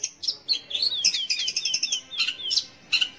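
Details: Long-tailed shrike song for stimulating young or silent shrikes to sing: a few sharp high chips, then a run of downslurred whistles repeated several times, ending in separated bright notes.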